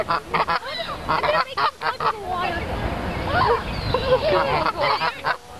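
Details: Wild geese at Dufferin Islands, Niagara Falls, giving harsh, nasal honks in quick irregular bursts while someone tries to catch one; people's voices and laughter mixed in.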